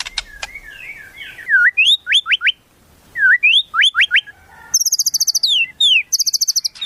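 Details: White-rumped shama song filled with imitations of wild forest birds, used as a tutor recording: loud, varied whistled phrases with rising slurred notes, quick repeated chips and bursts of rapid, high buzzy trills against a quiet background.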